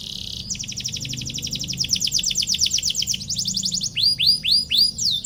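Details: A canary's long lure song for rival birds, opening with a fast rolling trill of high notes that gives way to a slower series of loud, curved whistled slurs.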